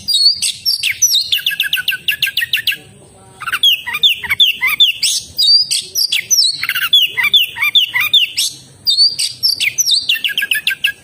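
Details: Kacer, or oriental magpie-robin, delivering a long energetic song: fast stuttering trills, rich warbled whistles and sharp chips, broken by one short silent gap.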